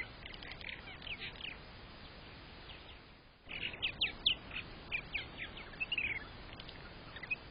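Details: Purple martin chatter at a nest-box camera in nest #11 on 27 May 2023, during breeding season in an occupied colony: scratchy, gurgling chirps in quick bursts, a short lull, then livelier squeaky notes, over a steady hiss.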